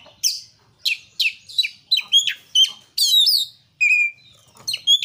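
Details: Gacor song of an Oriental magpie-robin (kacer) meant to prompt other birds: quick sharp whistles and chips in a steady run, then long buzzy rich phrases and clear high whistles.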